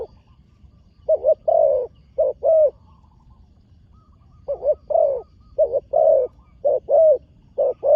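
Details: Newly trained young spotted dove on its first visit to a dirt competition ground, delivering two runs of low hollow coos, four notes then six, separated by a silent gap of almost two seconds.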